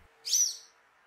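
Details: A Social Flycatcher in São Miguel do Iguaçu, Paraná, Brazil, a species known for very loud calls, gives one loud, harsh, high-pitched note lasting about a quarter second, over a faint steady hum.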